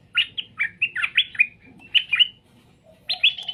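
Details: Straw-headed bulbul, song to make birds reply: loud, rich, bubbling phrases of slurred whistles, a brief pause, then another bright rising phrase. Faint low chatter runs in the background.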